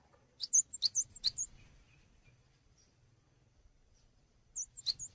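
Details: Cinereous tit song recorded as a tutor for training songbirds: sharp, very high chirped notes in a quick burst of four, a long pause, then another quick burst near the end.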